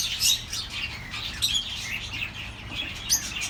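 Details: Pet birds chirping, played to comfort lonely birds: dense overlapping twitters and short high warbles, with quick squeaky notes standing out at about 0.3, 1.5 and 3.1 seconds over a steady low hum.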